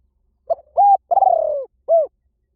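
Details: One Spotted Dove cooing phrase, used to call doves in fast in any forest: a short note, a flat sustained coo, a long vibrating falling coo, then a brief curved final coo. No other noise is heard.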